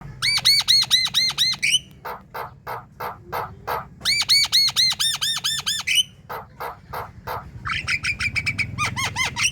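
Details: Javan myna in lively 'gacor' chattering song, used to prompt other mynas to sing morning, midday and night: bursts of rapid arched, ringing whistled notes alternating with harsh clicking squawks, repeated about twice a second, faint low hum behind.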